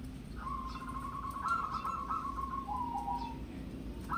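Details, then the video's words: Local zebra dove of wild origin, raised from young, singing in a small voice: a low, rapid cooing trill holds one pitch for about three seconds, then drops slightly lower at the end, over a steady low hum. "Pancingan Pekutut Lokal Manggung, Perkutut Lokal Alam, Lokal suara kecil, Lokal suara MP3"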